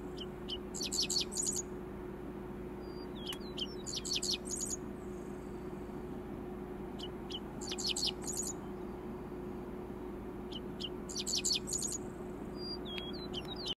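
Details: At sunrise on a prairie, a male Dickcissel (Spiza americana) repeats his dry, stuttering song of sharp high notes and buzzy trills every three to four seconds, with thin whistles and a low hum behind.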